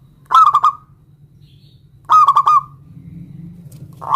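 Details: Local zebra dove calling a rival to answer: two rolling coo phrases of about four notes each, the start of a third at the end, over a steady low hum.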